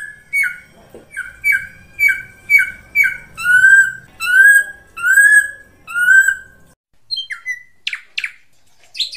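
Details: Krantil saeran Ashy drongo singing vigorously for a lure recording: a fast string of about a dozen short whistled notes, rising then steady, followed by a few sharp scattered calls.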